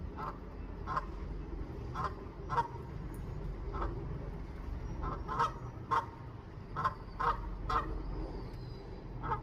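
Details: A goose newly arrived in a rooftop garden to find a nesting place, neck wiggling and honking to call its mate to come. There are short nasal honks in irregular bursts, about a dozen, over a steady low rumble.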